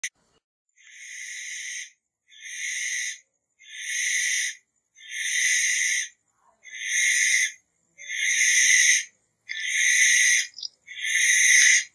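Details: Barn owl giving a harsh, hissing screech, each rasping burst lasting about a second and repeated eight times at steady intervals with short silent gaps between.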